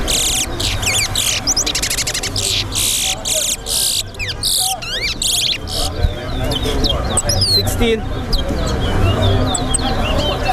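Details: Towa-towa (seed finch) in a singing race at a bird ground, giving loud buzzy bursts and quick rising whistled slurs, several birds overlapping, with murmuring voices and low rumble throughout.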